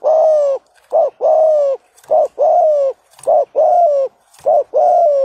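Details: Spotted dove, a decoy bird, calling to provoke rivals: steady loud coos in pairs, a short note then a longer slightly falling one, repeated about every second, rich and throaty.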